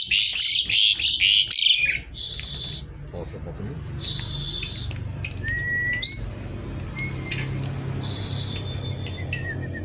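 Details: Javan pied starling delivering kretekan-style song, opening with rapid loud crackling bursts, then sparse harsh notes and clear rising whistles over a steady background hum.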